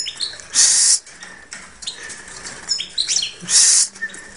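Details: Hand-reared goldfinch hybrid, bred 2013, pecking at the person filming: high, bright twittering with buzzy bursts about three seconds apart, mixed with scratchy chips and soft rustling.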